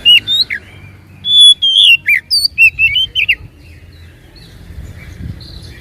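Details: Song of an oriental magpie-robin played to provoke a reluctant bird to sing. A few whistled notes, then a rich string of loud, pure whistles and quick down-slurred phrases for about two seconds, fading into quiet with faint low background noise.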